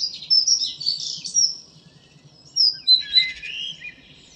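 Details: Common blackbird (Turdus merula) in morning song, 2 April 2013: two high twittering, squeaky bursts with short slurred whistles, separated by a second-long pause.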